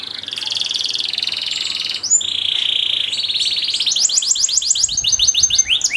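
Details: Master song for teaching canaries: a sustained high buzzy roll, a sharp break, a lower steady rolling tour, then a quickening series of descending whistled notes.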